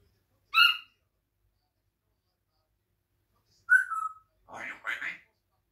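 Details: African grey parrot indoors, looking out a window and eating grapes while chatting: a sharp harmonic squawk, then a whistled note sliding downward, and two brief speech-like syllables, with long silences between.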